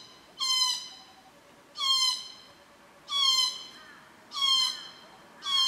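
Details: Glossy black cockatoos at a feeding ground and nursery on a property at Cootharaba, where they return at 4.30pm daily between June and September to feed on Casuarinas; five drawn-out, wheezy, harmonic-rich calls about every 1.3 seconds.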